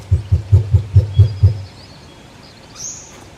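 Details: Cassowary, a solitary forest bird, calling in very low frequencies that travel through dense foliage. Seven short, deep, thumping pulses follow rapidly, about four per second, then fade into quiet forest with faint high bird chirps.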